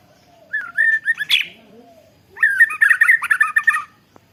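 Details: White-rumped shama singing with canary imitation in long rolling phrases, recorded on a Redmi Note 10 phone after molting: slurred whistled notes, then a fast, dense chattering trill lasting over a second, in near silence.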